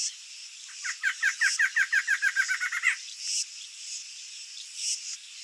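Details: Male barred antshrike in breeding season, singing energetically to reassure his mate incubating eggs on the nest and to defend territory: about fifteen hooked, descending notes that speed up, then stop abruptly. A steady high insect drone fills the background.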